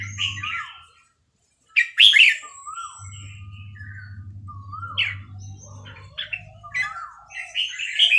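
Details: Red-whiskered bulbul of Burmese type from Dan Singkhon singing bright, chortling phrases with a loud burst near two seconds, interspersed with thin rising whistled notes, over a low steady hum.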